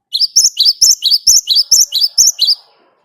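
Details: Rapid rolling song of a great tit, used to coax other birds into singing: about ten bright, high two-note phrases repeated evenly in quick succession, then silence.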